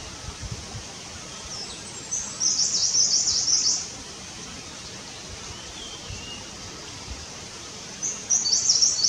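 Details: A Himalayan cutia (Cutia nipalensis) observed while nest building gives high, thin chattering bursts, a two-second run of rapid notes then another burst near the end, over a steady background hiss.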